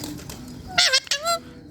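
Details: A pet talking rose-ringed parakeet at home gives two harsh, nasal, speech-like notes, one dipping and one rising, each under half a second, over a quiet indoor hum.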